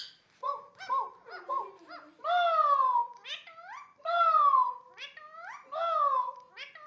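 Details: Talking and barking Indian ringneck parakeet: quick yelping notes followed by longer, strongly harmonic, downward-sliding bark imitations spaced about every second and a half.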